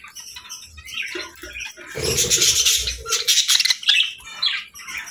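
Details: Happy budgies chirping and singing in a dense, continuous, high-pitched warble of chattering notes, rising to a busy burst in the middle.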